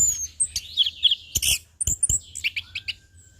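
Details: Short burst of anis kembang song, the orange-headed thrush, in ngeplong style for tutoring: dense twittering and squeaky whistles with a few sharp clicks and a thin drawn-out note near the end.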